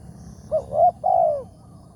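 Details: Single spotted dove phrase from a morning lure-trapping outing: a short coo, a louder wavering middle note, then a long, smoothly falling coo, against quiet low hum.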